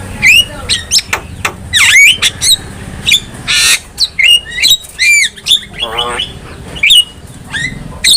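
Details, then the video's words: Javan myna tutor song: scratchy squawks and bent whistles interspersed with a noisy hiss burst and a rapid buzzy trill, loud and varied throughout. "KICAUAN JALAK KEBO | Masteran Jalak Paling Gacor"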